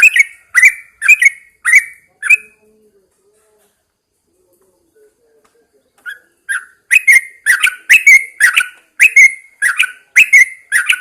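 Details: Yellow-vented Bulbul in a cage set out at dawn: a few loud bubbling whistled notes, a pause of several seconds, then a renewed rapid series of rich, chortling phrases.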